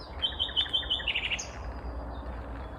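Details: Morning song of a vagrant Common Nightingale, heard but not seen, in a suburb of Uppsala, Sweden, May 2021: a rapid high trill running into a short, loud, buzzy flourish, then quiet.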